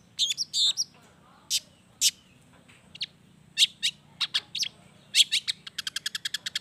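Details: Long-tailed shrike delivering energetic mimicry-filled song meant to provoke other shrikes to sing: scattered sharp high chips and squeaks, ending in a rapid, evenly spaced rattle of clicks.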